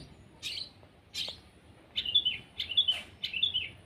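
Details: Long-tailed shrike (cendet) at its sunning: two separate buzzy high notes, then a quicker trio of sharp, slightly descending chips.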